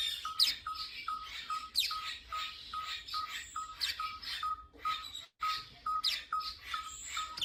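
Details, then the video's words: A tinker barbet in care at a South African wildlife rehabilitation centre gives a steady run of short, mid-pitched tink notes, about three a second, over busy chirps and rustling from other birds in the enclosure. "So that's good. You can hear how busy it is in there, even over the tinker barbet's call."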